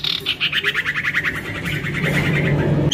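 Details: Juvenile male common iora, used to attract others, gives a rapid pulsing rattle of buzzy notes that drift gently downward over about two seconds, with low background rumble.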